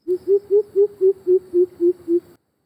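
Greater Coucal giving a steady series of nine deep, hollow hoots, about four per second, evenly pitched and booming. No other sounds intrude.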